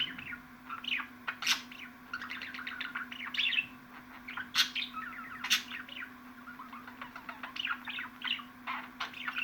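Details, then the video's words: Budgerigar chatter for rousing pet budgies: runs of quick repeated chirping notes and warbles, punctuated by occasional loud sharp squeaks, over a faint steady hum. "MUHABBET KUŞUNUZ ÇILDIRACAK,MUHABBET KUŞU SESİ"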